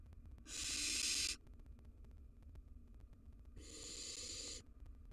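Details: Wild Barn Owl owlets, three young in their nest box: two long breathy hisses, each about a second, with a pause between.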